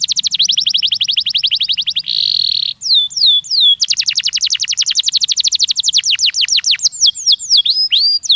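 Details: Stimulating canary song for young birds, built from long rapid trills of repeated notes, a short buzzy roll, then strings of swept whistles and chirps delivered at a fast, steady pace.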